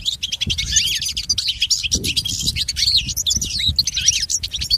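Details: Dense, lively twittering of a European goldfinch, song meant for training pet goldfinches, with quick rising and falling notes and buzzy trills over faint low noise.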